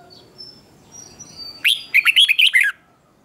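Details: Wild-caught male red-whiskered bulbul provoked into contest singing: faint thin notes, then one loud, quick, warbling phrase of five or six slurred whistles.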